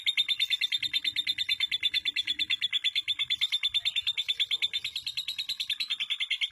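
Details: Female lovebird from East Lampung, Indonesia, kept by a songbird hobbyist and prized for long-duration singing: a continuous rapid stream of high, harsh, buzzy chattering notes, pulsing about three times per second without a break.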